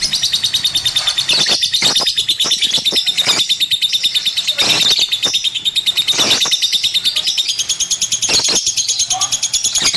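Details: Lovebird kept as a pet bird, giving a long run of rapid high chirps and squeaky twittering, with sharp clicking notes and short broadband squawks breaking in throughout.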